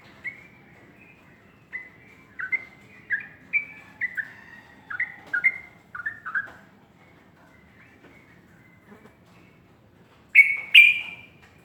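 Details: Morning song of a sooty-headed bulbul: a steady series of short, clear whistled phrases, each dipping downward, repeated roughly every half second, followed by a pause and a louder, brighter burst near the end.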